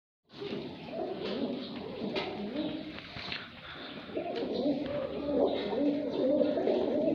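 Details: Fighter pigeons (kabootar) in a village in Sindh, Pakistan: low, throaty cooing in overlapping rolling phrases from several birds, steady and continuous, with faint voices and room sounds in the background.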